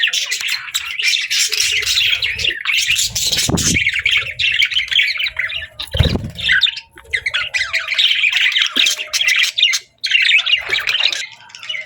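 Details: Budgerigars at feeding time chatter constantly in fast, buzzy warbling and chirps, with two brief low thumps and short lulls breaking the flock's busy babble.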